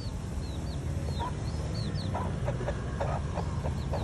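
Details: Hen leading her chicks to food: short low clucks come irregularly, several per second in the second half, over thin descending chick peeps and a steady low rumble of background noise.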